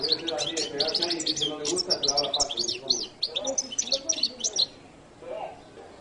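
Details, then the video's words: Jilguero latino goldfinch twittering in quick bursts of high, sharp chirps for several seconds, then falling silent, with low voices audible behind. "canto de jilguero latino"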